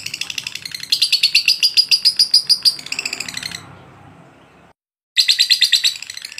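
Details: Lovebird delivering a long, insistent training song: quick high chirps in a strong run that fades, a brief silence, then the rapid chattering resumes.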